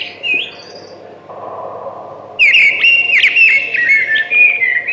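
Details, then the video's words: A brief whistled note from a thrush opens, then after a quiet gap comes a loud, ringing warbled phrase with fast flourishes that runs to the end. "Beautiful Thrush Singing"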